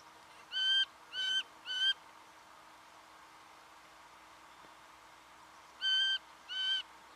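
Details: Singing honeyeater recorded in Victoria, Australia, in November 2011, giving three loud, ringing, slightly nasal notes in quick succession, then after a pause two more; a faint steady hum lies underneath.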